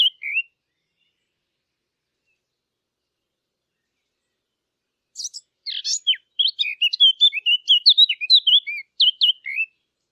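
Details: Eurasian blackcap, recorded for use in hunting callers: a single short note, about five seconds of silence, then a full song starting with scratchy, squeaky chatter and ending in a flourish of slurred whistles.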